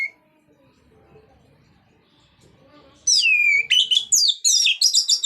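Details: Orange-headed thrush in relaxed, loud 'ngeplong' singing style, used to prompt other thrushes to sing. After three seconds of faint indoor murmur, a burst of loud, high, sweeping whistles and rapid rattling phrases follows.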